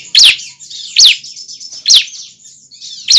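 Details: Juvenile bar-winged prinia calling: loud, piercing chirps that slide steeply downward, repeated about once a second with soft twittering between them.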